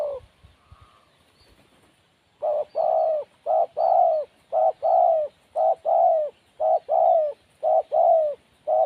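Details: A timid wild spotted dove cooing steadily after about two seconds of near silence. Soft hooting notes come in quick pairs, a short coo then a longer drawn one, repeated nearly once a second in an even rhythm.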